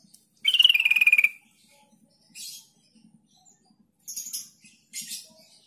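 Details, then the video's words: Lure sound of the sooty-headed bulbul, played to get silent young and flock-raised birds answering within seconds: one strong buzzy trill falling in pitch early on, followed by several shorter, higher chattering bursts. "Trucuk kebo bisu bahan dan ombyokan langsung nyaut dalam hitungan detik dengan pancingan trucuk ini"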